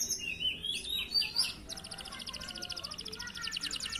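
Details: Canaries at a bird farm, used as a lure for other birds, sing more faintly: some varied whistled phrases, then a long, even, high rattling trill.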